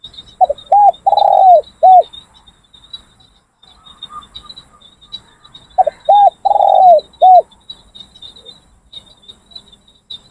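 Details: Training decoy Spotted Doves calling in a session where no wild birds arrived; two separate mellow cooing phrases about four seconds apart, each with quick short notes around one long drawn coo, above a thin constant high-pitched insect drone.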